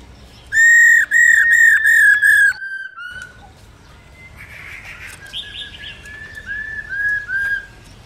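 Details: Female black-throated laughingthrush stimulating males: a rapid run of six loud arched whistles, then softer distant whistles and a buzzy note over steady background noise.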